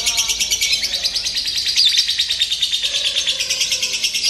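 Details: High, rapid chattering from a lovebird in a simulated singing-competition session meant to toughen it, the notes pulsing quickly and evenly, with a faint lower tone in the background.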